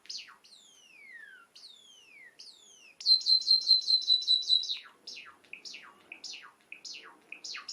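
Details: Two-year-old pet cherry Java sparrow kept at home, singing while dancing: long descending whistled slurs, then a rapid rattling trill of repeated clicky notes, followed by sharp downward chips alternating with short bell-like tones; quiet room.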